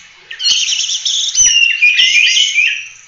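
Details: Oriental magpie-robin in full 'roll tembak' song used as a training model for other birds. Fast, warbling, tremulous phrases flow into long sliding whistles, with scattered clicks and knocks underneath.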